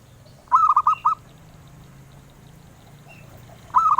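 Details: Zebra dove, a collectors' favourite for its sweet voice, gives one full phrase of four quick, hollow cooing notes, then starts another just as the recording ends.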